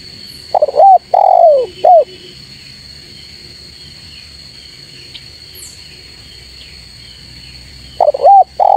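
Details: Spotted dove calling to challenge rivals: a three-part cooing phrase of stuttered, long and short low notes, then about six seconds of near silence before the phrase begins again, with a steady high electronic tone throughout.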